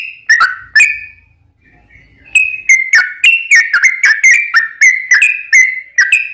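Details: Sooty-headed bulbul singing as a lure for other birds: two loud liquid whistles, a quiet gap with faint low rumble, then a brisk sequence of sharp, slurred whistled notes about three per second.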